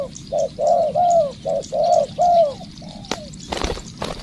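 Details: Spotted dove decoy bird in training coos three phrases of a short note and a longer arched coo, then a softer coo, followed by sharp clicks and rustling.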